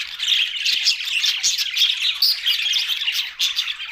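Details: Budgies chattering in a group, rapid twittering warbles and squawks pulsing in quick bursts, several birds overlapping continuously.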